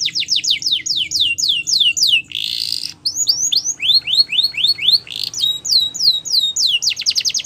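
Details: Canary champion song used for training, a fast series of repeated descending whistled notes, a brief harsh buzzy burst, then more falling notes and a rapid trill at the end.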